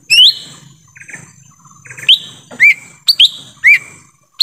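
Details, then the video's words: Lesser green leafbird lure call from the forest, aimed at attracting wild birds: rapid bright upslurred whistles, about seven in four seconds, alternating higher and lower notes, with faint chatter early on. "suara asli pikat cucak ijo mini"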